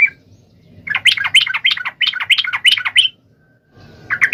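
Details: Sooty-headed bulbul singing to challenge a rival: a brief note, then a fast jumbled stream of squeaky, chattering and bubbling notes lasting over two seconds, a pause with faint background hum, and another lively burst resuming.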